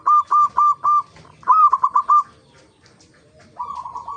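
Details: Local zebra dove singing as a lure to make other zebra doves sing: four spaced coo notes, then a quick burst of five, a pause, and a softer trilled phrase at the end.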